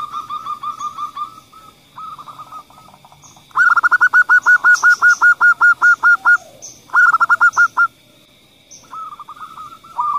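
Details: Zebra doves, a female calling followed by a male: trilled, purring coo phrases repeated, with a long loud run of evenly spaced rolled notes in the middle and shorter runs before and after.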